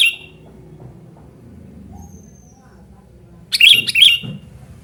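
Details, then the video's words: Sooty-headed bulbul giving its loud call, used as a lure and tutor recording; after several seconds of quiet low background hum, a pair of sharp bubbly chirps rings out near the end. "suara burung kutilang gacor super ribut memanggil"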